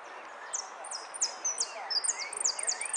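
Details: Competing saffron finch, third-placed yellow 'sin cierre' bird, Zona Norte singing contest, 01 11 15: rapid series of piercing high notes, each sliding downward, quickening toward the end, with a low murmur of background voices.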